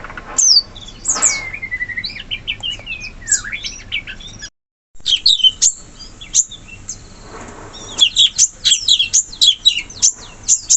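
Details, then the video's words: In forest, a wild sooty-headed bulbul delivers a wavering series of bubbly whistled notes, followed by a brief gap and dense high-pitched chattering from other birds. "Suara burung cucak cungkok asli hutan"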